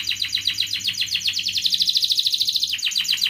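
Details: Canary singing as a lure for lazy canaries: a steady fast rolling trill of high repeated syllables throughout.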